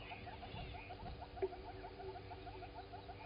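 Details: At a waterhole on Djuma Game Reserve in South Africa's Sabi Sand, 07:53, 16 September 2020, a southern red-billed hornbill walks about, giving quick repeated hollow clucks in an even run, with faint higher chirps and steady hum behind.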